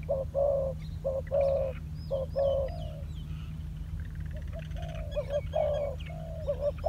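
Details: Spotted dove, a trained decoy bird on the ground, gives low hollow coos in quick short-long groups. Its cooing pauses midway, when faint higher chirps and whistles from other birds are heard, then resumes. A constant low hum runs underneath.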